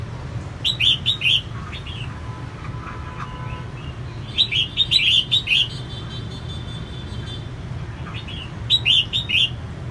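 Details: Female red-whiskered bulbul singing to excite males: three bursts of lively, chirpy whistled notes spaced several seconds apart, set against continuous low-pitched background noise.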